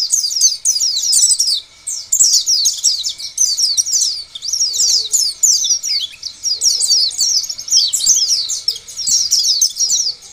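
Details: Lure song of an Oriental white-eye, meant to make other white-eyes start singing; dense high-pitched twittering phrases, rapid slurred chirps repeated in bursts separated by brief pauses, faint steady hum.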